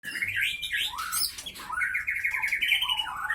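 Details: Caged white-rumped shama of the Aceh Leuser Pining line, caught 2012–2015 in Pining, Gayo Lues, Aceh, Indonesia, singing in fighting mode: sharp, rich whistled phrases sliding up and down, then a long trilled series of rapid repeated notes.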